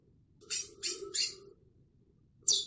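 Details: Chestnut-bellied seed finch (curió): three quick, bright, rasping notes about a third of a second apart, a short pause, then one sharper note, over a faint low hum.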